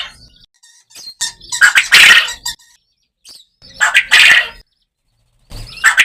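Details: Farm quail in a natural environment calling with rough, grating bursts, each about a second long and built from quick repeated pulses, with softer chips and rustles between them.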